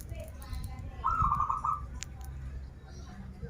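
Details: Zebra dove of a local Banten strain, a keen singer of krital and warung kebek styles, delivers a rapid bubbling trill of beaded coos lasting under a second, with a sharp click after and faint background chatter.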